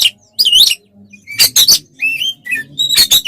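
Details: Oriental magpie-robin (kacer) in provoking fight song: scratchy rasping bursts mixed with rising and falling whistled phrases, a few loud harsh notes near the end.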